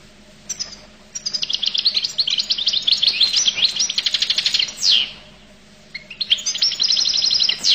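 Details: Goldfinch, Collo style, in sustained song: long runs of rapid high trills and tinkling twitters, a short drawn note near the middle, then a fresh trilled phrase after a brief pause.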